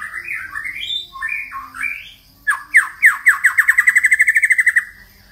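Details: White-rumped shama singing many voices: varied fluid whistled phrases, a pause, then a loud accelerating run of about twenty ringing repeated notes that gradually fade, in a quiet room-like setting.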